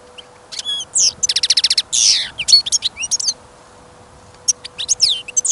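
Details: European goldfinch held in a cage for listening, singing outdoors in winter after sudden snowfall and rising wind: quick tinkling trills, a fast ticking series and a harsh buzzy burst, then a pause before more liquid twitters.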